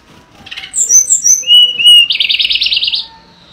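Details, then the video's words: Mangrove blue flycatcher: thin very high whistles, a level sustained whistle, then a fast buzzy trill that fades out. "Tledekan Gunung Edan Gacor Berkicau Suara Alam Liar"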